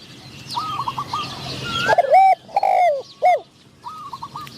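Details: Decoy spotted dove calling to entice wild doves, with a medium-voiced wild bird hoped for. Faint coos give way to louder wavering coo notes and crisp clicks, over a hissy background.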